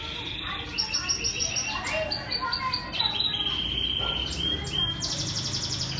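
Canaries sing bright, high trills and rapid chirps, several voices overlapping in a busy chorus, with a faint murmur underneath.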